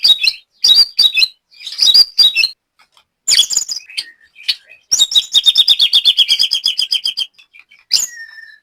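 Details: Trained caged white-rumped shama from Banyumas, Central Java, Indonesia: bursts of high chattering notes, then a rapid even series of about fifteen repeated clipped notes, ending with a thin falling whistle.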